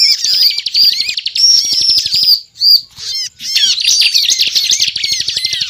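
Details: Bar-winged prinia giving 'ngebren' song, used as a lure for catching birds: clear high whistled notes and chattering trills, a short pause, then a renewed rush of rapid twittering.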